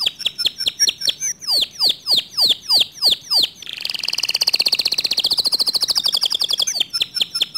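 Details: Canary singing in a way said to stir other canaries to sing along: a series of repeated downward-sweeping whistles, then a dense buzzy rattle-like trill, ending with quick repeated notes.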